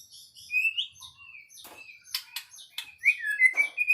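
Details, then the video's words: White-rumped shama singing: clear whistled phrases, one rising and one falling, separated by sharp clicking notes and short chips, ending in a run of bright rising whistles. No other sound. "Kicau Murai Batu"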